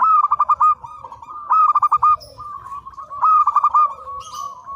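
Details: Actively singing local zebra dove serving as a master recording: rapid stuttered coo notes rolling into a steady trill, repeated in three phrases about every one and a half seconds, with other doves cooing faintly behind.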